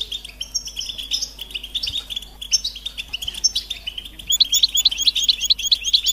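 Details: Goldfinch mating calls, locally called butbuta, to rouse males into song: scattered high chirps and twitters building into a brisk, regular series of sharp, bright notes in the last seconds.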